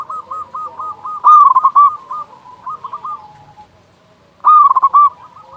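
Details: Local zebra dove in vigorous song with a big voice, used as a master recording to prompt doves to sing; two loud stuttering bursts of rapid, hollow cooing notes, with softer rolling coos from other doves in between.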